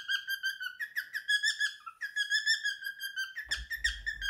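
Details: Three-year-old pet male cockatiel singing his favourite song indoors: a steady run of clear whistled notes, each slightly wavering, pulsing about once a second, with a thump near the end.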